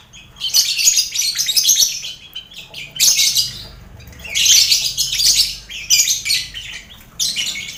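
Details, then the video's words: Lovebirds in a crowded colony cage alongside finches and quail, recorded to toughen birds bound for singing contests: long runs of piercing, rasping chatter in four or five loud bursts separated by quieter pauses. "Latihan Mental Lovebird Gantangan, Sound Koloni Lovebird"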